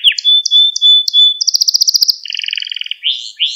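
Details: Young canaries are meant to learn from this canary lesson song: a long pure whistled note under clipped chirps, then rapid rolling trills at two pitches and closing rising sweeps.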